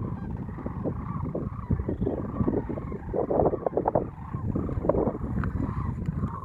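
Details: Many sandhill cranes calling at Monte Vista NWR, Colorado, 22 March 2014, phone-scoped: a dense chorus of low, rattling bugles and honks overlapping continuously, with louder bursts rising above the din.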